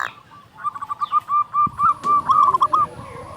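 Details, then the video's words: Local zebra dove singing strongly, meant as a lure for other doves: a phrase of quick, evenly spaced coos builds in loudness, with a faint click partway through and a brisker, louder run at the close. "Perkutut lokal gacor SUARA BESAR pancingan burung perkutut agar bunyi"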